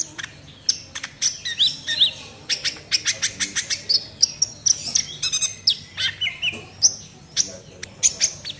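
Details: Sunbird delivering a full, fast 'nembak' song: a dense run of sharp high ticks and chirps, with squeaky whistled slurs and buzzy trills repeated about every half second and few gaps.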